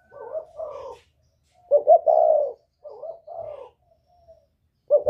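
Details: Whistle-voiced spotted dove of the northern Vietnamese style, calling to stir up wild doves: phrases of soft wavering coos, a brief lead-in note leading into a fuller drawn-out coo, repeated several times in close succession.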